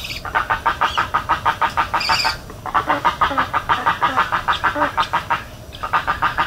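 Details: Spoonbill in Everglades National Park giving a fast series of harsh pulsed calls, about three a second, with brief pauses between bursts and a few higher squeaky notes mixed in.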